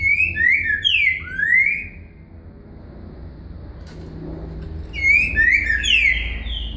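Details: Green-winged saltator singing the boca mole com virada style, used as a song lesson: two bursts of loud, slurred whistled notes that swoop down and then up, separated by a quiet gap with low rumbling background noise.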